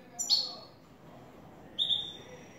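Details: Clean-singing European goldfinch, newly acquired, in the "el tres vueltas" song style: two sharp, high whistled notes falling in pitch, about one and a half seconds apart, with faint speech behind.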